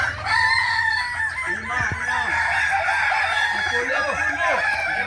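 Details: Kukuak Balenggek roosters crowing at a practice contest, Ampang Kualo, Solok, in May 2024. Sustained, stepped crows drawn out in layers, with short hooked calls and human voices underneath.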